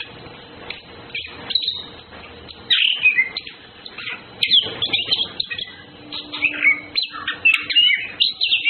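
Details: Orange-headed thrush, males and females flirting in courtship; fast, varied chirping and whistled phrases, sharp rising and falling notes in bursts that grow louder after three seconds, with a faint steady low hum underneath.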